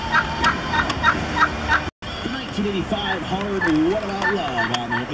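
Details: Turkeys brought on a visit to an office just before Thanksgiving gobble in quick, rattling bursts, about three a second; after a short break come lower, wavering calls blending into a busy chorus.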